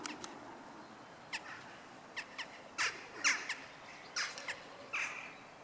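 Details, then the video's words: Western jackdaws calling during courtship at a church in Nexon, 16 March, 18:20; short sharp yelping calls in scattered pairs and bursts over faint background hiss. "Préliminaires amoureux chez les Choucas des tours"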